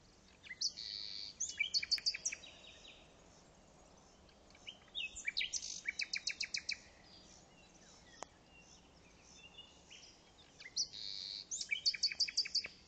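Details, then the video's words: An unidentified bird recorded at Pelayos de la Presa, Spain, in a special bird protection area, sings high, thin phrases of buzzy notes and quick rattling trills in bursts every few seconds over soft steady hiss. "¿Alguien sabe que ave canta así?"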